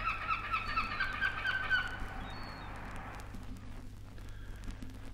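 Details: A black-backed gull from a 1968 Australian wildlife record gives a quick run of harsh, nasal, honking notes for about two seconds, then fades, over a steady low hum.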